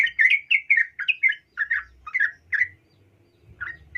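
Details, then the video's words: Sooty-headed bulbul female calling a male. Quick slurred chirps fall in pairs, about two a second, then the calls thin out to a pause. Two final chirps follow over faint low noise. "trucuk Betina memanggil jantan"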